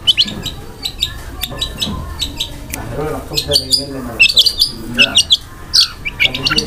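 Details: Cendet, the long-tailed shrike, singing a gacor song of rough kasaran fill and speedy tembakan rolls. Scattered high chips and stuttering bursts over a murky, chattering lower layer, growing denser toward the end.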